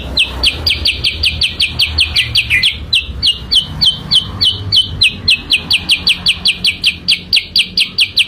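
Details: Sooty-headed bulbul lure song: a long, busy run of sharp, downslurred chirps, roughly three a second, briefly dipping lower, then steady and clipped to the end.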